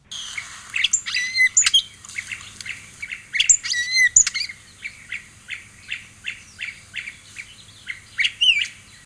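Hooded Oriole song: a rapid jumble of nasal, chattering notes mixed with high, slurred whistles, delivered in quick bursts with brief pauses between.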